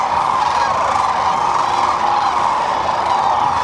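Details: Migrating sandhill cranes on the middle Platte River in central Nebraska each spring, feeding and resting; an intense, continuous clamour of rolling, rattling calls from a huge flock, close and loud.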